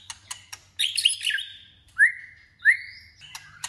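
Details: White-rumped shama singing to train its voice for contests: clicks, a dense scratchy warble, then two loud clear whistles that rise and then fall, spaced under a second apart.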